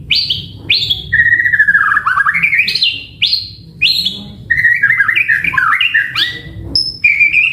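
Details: White-rumped shama in energetic full song, used as a lure recording to make other shamas answer: rich whistled phrases, with sharp high downslurred notes alternating with long warbled runs that wobble up and down, near-continuous.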